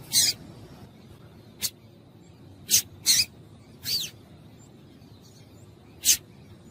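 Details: Calls of a female double-collared seedeater, used to get males singing: six brief, high, sharp chips at irregular intervals over several seconds, with quiet gaps between them and a soft background hiss.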